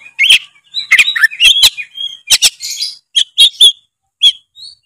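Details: Oriental magpie-robin in full song, meant to prompt an idle bird to sing: a varied run of sharp chirps, clicks and brief whistled notes in quick bursts, with a few pauses and a soft high whistle at the close.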